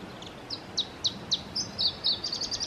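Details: Iberian Chiffchaff male in song, Testelt, Belgium, 7 May 2017: five crisp descending chips spaced about a quarter-second apart, switching to drawn-out high notes and a rapid jittering trill at the close.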